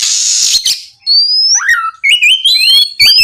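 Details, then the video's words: Oriental magpie-robin song used at night to coax other magpie-robins to answer and sing: opens with a harsh hissing rasp, then long rising whistles and quick up-and-down warbled phrases. "MEMANCING KACER AGAR LEKAS BUNYI NYAUT & GACOR! TERAPI MALAM SUARA BURUNG KACER GACOR NGEPLONG"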